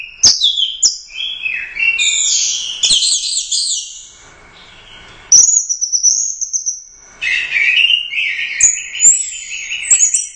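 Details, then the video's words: Royal Cup first-place orange-headed thrush in 'gacor teler doyong' song: varied high whistled phrases and chatter, a quiet gap, a long level whistle, then another warbled run with sharp clicks. "Suara Burung Anis Merah | GACOR Teler Doyong Juara I Royal Cup"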